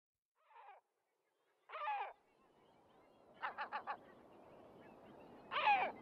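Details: Great black-backed gull at Raghly Harbour, Co. Sligo, Ireland, giving hoarse, barking calls: two single notes, then a quick run of four, then a longer harsh cry, over a steady background rush.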